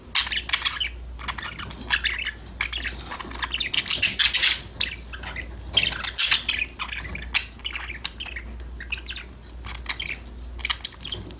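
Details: Several budgerigars chirping, singing and talking to each other while playing; dense, scratchy high chatter in quick bursts with short squeaky notes, over a steady low hum.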